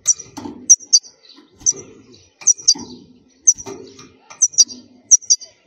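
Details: Wild European goldfinch of khalwi style, recorded for tutoring young goldfinches: regular bursts of high, sharp double and triple notes about once a second, with soft low thumps beneath.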